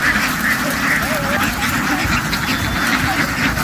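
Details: Several ducks dash into the water and hop back onto the bank in a field, calling loudly; harsh overlapping quacks run continuously, with a few thin whistled notes over noisy, rumbling ground sound.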